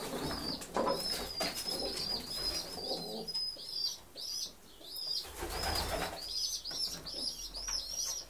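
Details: Homing pigeons indoors: a steady series of short, high squeaky chirps, each a quick rising then falling note, repeated several times a second, over rustling and wing-flapping noise.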